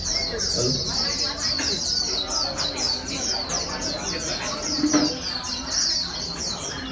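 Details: Wild-caught white-eye being stimulated to sing in the fast líu style: a dense, continuous run of high, thin twittering notes with rapid sweeping chirps, with faint background talk and low hum.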